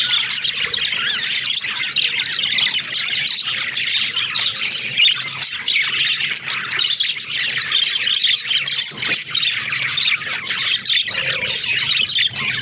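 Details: Flock of budgerigars playing in their cage: continuous dense high-pitched chirping and warbling chatter from many birds, with no pauses.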